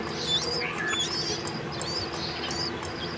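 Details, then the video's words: Bulbul feeding and calling her twin chicks, giving thin, high squeaky chirps and short whistles, quick, uneven and often overlapping, over a low steady background hum. "NIGHTINGALE feeding and calling her chicks at a time:Bulbul sounds"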